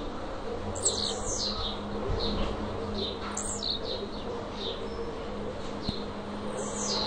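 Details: Brown-plumaged blue-black grassquit singing while perched on a hand: short, high, thin chirps and buzzy notes scattered every second or so, over a steady low hum and room noise.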